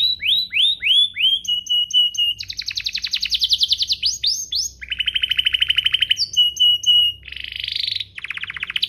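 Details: Canary song used to draw other canaries into singing: upslurred whistles and steady tones give way to long, rapid rattling trills, then short notes and buzzy bursts, varied and continuous.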